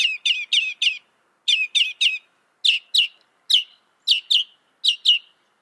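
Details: A northern mockingbird, credited with copying some 200 sounds, delivers sharp downslurred chips in pairs and threes, steady and high-pitched, with brief gaps between groups and no other sound present.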